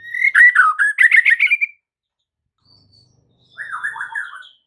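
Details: White-rumped shama master song used to prompt mute caged birds into full song: a burst of rapid, trilled warbling phrases, a pause of nearly two seconds, then a softer fluttering trill.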